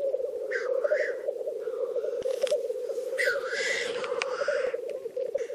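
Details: Black grouse in a courtship territory dispute: a continuous low bubbling coo underlies sharp, sneezing hisses that sweep up and down, with a brief rustle in the middle.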